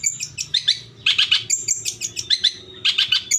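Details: Song of a long-tailed shrike, used as a lure for caged birds to reply and sing: clusters of sharp, chirping notes and thin high whistles in quick phrases separated by short pauses.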